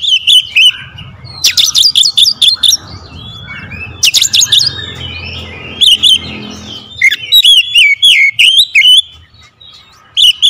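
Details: Kacer, or Oriental magpie-robin, in a lure ('pancingan') song of tight rapid-fire 'tembakan rapat' phrases: clustered whistles and crisp ticking bursts in quick succession, with a brief gap near the end before a final burst.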